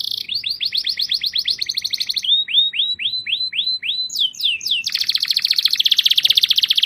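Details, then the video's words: Canary song of varied phrases: a rapid rattling trill, a slower row of clear descending whistles, a few higher sweeps, then a long dense buzzy trill. "طائر الكناري يغرد #Burung kenari sedang bernyanyi #Le canari chante #El canario esta cantando"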